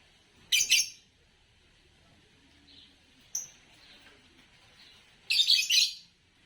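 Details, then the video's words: Green Fischer's lovebird, a color known for long songs and common winner of bird song competitions in Indonesia, giving harsh, broadband chirp bursts: one near the start, a brief thin tone mid-clip, and a longer rasping burst near the end. "10 Charming Variations of Lovebird Chirping Sounds"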